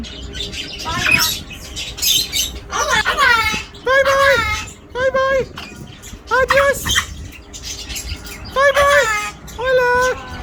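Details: Talking parrot producing a series of high, nasal, word-like phrases, each about half a second long, repeated roughly every one to two seconds. Steady background hiss and scattered clicks sit between phrases.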